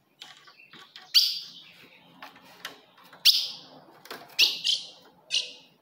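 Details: Female ultramarine grosbeak call to provoke a male: loud, ringing chips roughly one to two seconds apart, a close pair near the end, over faint background rustle.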